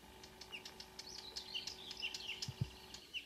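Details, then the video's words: Marsh warbler pouring out song at 5 a.m. on 2 June 2009 near Ski, Norway, at Kråkstad, a couple of birds present; rapid chattering, whistles and buzzy twitters, with two soft low knocks near the end. "The song of a *Acrocephalus palustris* Myrsanger / Marsh Warbler"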